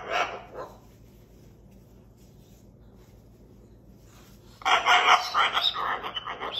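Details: A pet male cockatoo indoors gives a short harsh squawk, falls quiet for several seconds, then breaks into a loud, raspy, sustained screeching burst.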